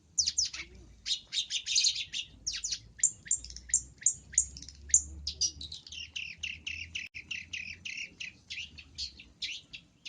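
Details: Cendet (long-tailed shrike) masteran packed with isian: a fast, continuous medley of scratchy chatters and downslurred squeaky notes, many varied phrases run together over a faint low hum.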